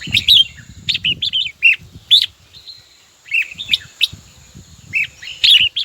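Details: A red-whiskered bulbul calls to a rival with repeated quick, warbled chirping phrases. A steady high whine and low rumbling and knocking sounds are heard underneath.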